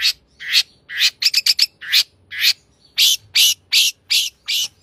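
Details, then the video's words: Long-tailed shrike in full, lively song with a rich fill-in: loud, harsh, broadband bursts alternating with quick runs of thin, high, stuttering notes, delivered in an irregular, rapid sequence. "cendet gacor isian mewah"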